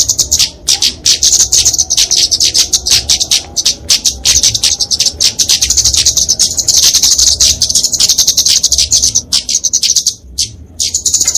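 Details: Kemade, a flowerpecker, giving its fighting song for training and luring songbirds: long, sustained run of shrill, buzzy, rapid chatter that fades briefly near the end before resuming.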